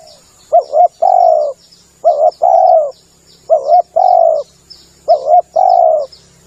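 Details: Lure recording of a spotted dove: four phrases, each a quick doubled note and a long steady coo, evenly spaced; faint high insect-like chirps and a low hum underneath.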